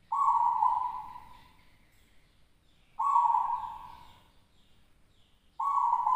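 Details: Caged zebra dove, a local first-place champion from West Java, singing at a contest; three strong, even cooing notes about every 2.7 seconds, each starting abruptly, then fading over about a second, with quiet background between notes.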